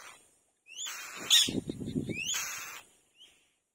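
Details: Single wild mourning dove nestling seeking its mother in the nest, giving rough, wheezy bursts that start with a quick upward squeak, two main calls over a few seconds with scratchy rustling between them.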